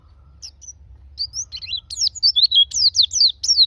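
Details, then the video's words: White-eye song used to stimulate caged white-eyes to sing: high, thin twittering notes sliding between about 3 and 8k pitch, starting sparse then building into a fast jumbled warble of rapid downslurred chirps. "Pancingan pleci agar buka paruh"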